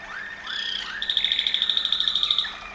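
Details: Waterslager Malinois canary in Serbia: a few rising slurred whistles open the phrase, then a fast, bright, rattling trill of even beats runs for over a second before fading.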